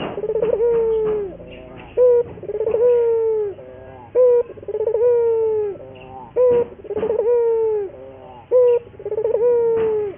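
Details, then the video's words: Repeated cooing of a local puter dove, a lure song for training doves to sing readily. Stuttered rolling notes lead into drawn-out, slightly descending coos, with brief sharp coos between phrases. "pancingan burung puter gacor, melatih burung puter lokal agar cepat gacor"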